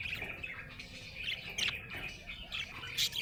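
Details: Happy budgerigar chirping: a rambling stream of scratchy warbles and brief squawky notes, with louder bursts near the middle and end, over faint background hum.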